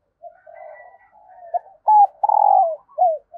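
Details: Decoy spotted dove calling early in the morning to lure wild doves: soft low murmuring notes, then loud clipped coos rising to a drawn-out mellow coo with a dropping tail.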